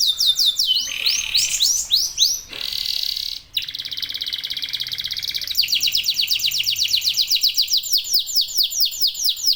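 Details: Local domestic canary in full song, used to trigger other canaries to sing, moves from varied high sweeps to a rolled buzzy tone, a short gap, then a long fast trill of sweeping notes.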